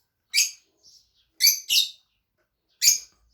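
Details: Pet Fischer's lovebirds, two kept birds, giving short shrill chirps in uneven bursts: two close together, one faint squeak between, another sharp note near the end, in a quiet room.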